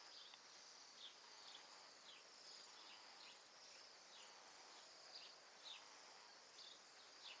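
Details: A flock of about a hundred Bohemian waxwings, down from the Arctic to Alberta and feeding on mountain ash berries in a yard, gives a steady wash of thin, very high buzzy trills, overlapping, with brighter trills above.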